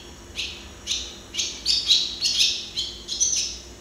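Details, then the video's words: A singing barn swallow, Hirundo rustica, watched from nearby, gives loud, bright high chirps in quick succession, roughly two per second, some notes doubled, over a quiet background. "Canto de golodrina - Song of barn swallow - Canto da andorinha-das-chaminés"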